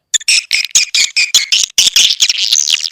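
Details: Swiftlet lure call of the Elang Borneo type, described as natural swiftlet sound used to attract swiftlets: a quick series of short, harsh, high chirps, then a denser run of buzzy twittering notes near the end.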